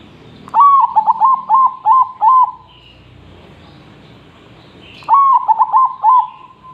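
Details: Zebra dove singing actively, its recording used to train other birds: a string of six or seven evenly spaced, rolling coos ending in a longer note, a pause of about two and a half seconds, then the phrase begins again.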